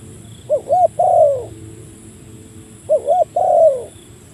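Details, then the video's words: Spotted dove calling a rival, used for luring birds: two low cooing phrases about two and a half seconds apart, each a rapid wavering double note then a drawn-out falling coo. "burung tekukur memanggil lawan, mikat burung tekukur"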